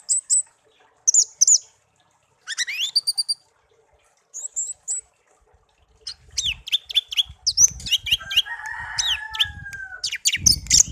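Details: Hand-reared pet songbird, taken young from a garden and kept for a year, sings scattered high twitters and chips that build into a continuous chattering song with a buzzy warble. Rustling and clatter are heard near the end.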